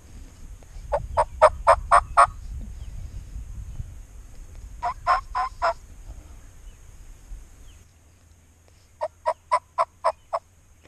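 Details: Gobbling wild turkeys during a spring youth hunt in Iowa, with more birds gobbling. Three separate bursts of quick, rattling pulses come at intervals, with quiet outdoor background between them.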